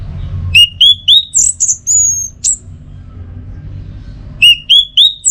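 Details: Orange-headed thrush, Singaraja, North Bali, prompting song in the teler style: a phrase of three rising whistles leading into higher buzzy notes and a drawn-out whistle, repeated after a short silence.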